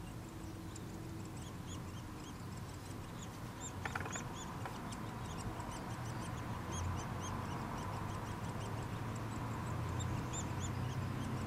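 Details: Nuttall's woodpecker chicks being fed by a parent keep up a rapid chatter of thin, high chips, several each second, over a steady low rumble.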